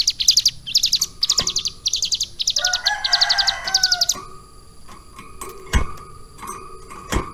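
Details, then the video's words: Ciblek gunung prinia in captivity, kept about three months and taught lovebird song, singing repeated high rattling bursts with a lower warbled phrase mid-way, then sharp cage knocks. "CIBLEK GUNUNG GACOR ISIAN LOVE BIRD"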